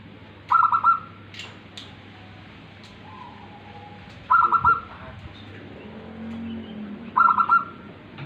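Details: Local tame zebra dove singing: three rapid, rolling coo bursts spaced about three seconds apart, each a tight string of soft notes, with a few faint clicks and handling noises in the background.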